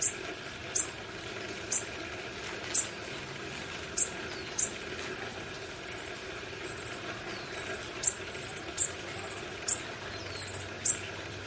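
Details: Tiny baby bushtits in a garden nest being fed. Very high, thin, sharp chips come singly or in pairs about once a second, roughly fourteen in all, over a steady low background hum.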